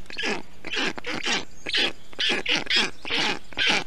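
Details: Black stork chicks in an Estonian nest on a hot day, 20 June 2021, while an adult brings water, moss and wet grass to cool them; harsh, raspy bursts repeated about twice a second, rising and falling in loudness.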